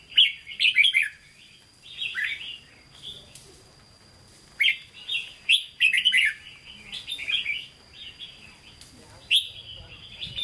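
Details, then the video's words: Caged red-whiskered bulbul from Vietnam singing in the Hue style, loud bubbling whistled phrases repeated in bursts separated by short pauses, notes sliding up and down, accompanied by a steady thin whine. "Chào Mào Chuẩn Giọng Huế Hót Ché"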